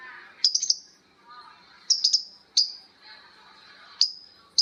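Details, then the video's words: Lovebird ngekek with birds answering each other: shrill high squawks in quick clusters of two or three, separated by short pauses, over soft background chatter. "Suara Lovebird ngekek panjang❗Suara bikin Lovebird Betmen vs vio vs paskun saling bersautan."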